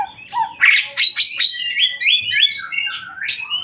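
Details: Varied white-rumped shama song made of quick rising and falling whistles, sharp chips and slurred notes packed closely together in one continuous, lively phrase.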